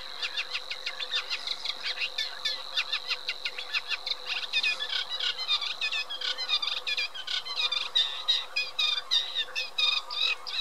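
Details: Eurasian reed warbler singing a long, unbroken chattering song of harsh, clicking and scratchy notes, each repeated two or three times before changing, with a faint steady low hum in the background.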